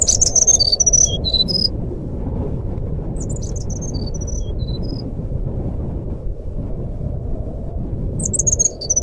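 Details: Nyuling song of a jungle flycatcher played as a lure for a non-singing bird: bursts of high, pure whistles stepping up and down, separated by a quiet gap, with constant low hum beneath.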